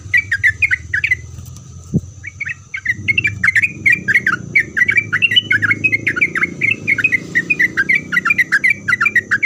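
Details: Sooty-headed bulbul singing vigorously to make other bulbuls reply, with a short phrase, a sharp click near two seconds, then a long rapid chatter of bubbly slurred notes over a low rumbling background.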